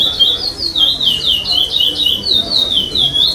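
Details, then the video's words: Curió pardo, a chestnut-bellied seed finch, competing in a 2021 state contest stage and taking fifth place, singing 'sem repetição': a quick chain of loud whistled notes, several per second, each dipping in pitch. "CURIÓ PARDO SEM REPETIÇÃO"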